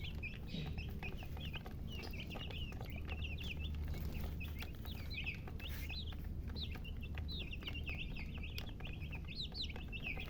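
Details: Domestic chicks giving continuous high peeping chirps, short rising and falling notes in quick overlapping runs, over a steady low background hum.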